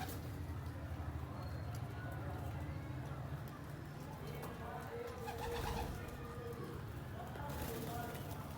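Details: Pigeon cooing in low, throaty repeated notes over a constant low background hum, with a louder rustling burst midway, faint voices, and another noisy burst near the end.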